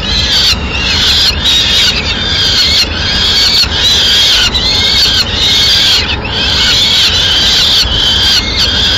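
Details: Peregrine falcon at a nest in Madrid, 6 May 2016, as the female brings in a pigeon: harsh, strained wailing calls in long bursts, nearly continuous over several seconds with brief gaps, over steady low background hiss.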